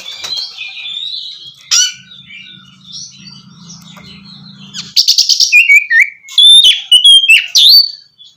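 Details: Oriental magpie-robin song used to coax a silent bird into singing: soft warbled phrases, then a fast loud sequence of clipped chips and bright whistled slurs, with a low hum in the background.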